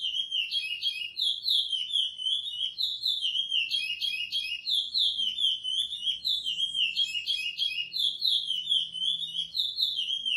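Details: Praia-style song of a curió (lesser seed-finch), edited for song training: sweet whistled notes flow without pause in looping, slurred phrases that dip and climb again. The background is quiet.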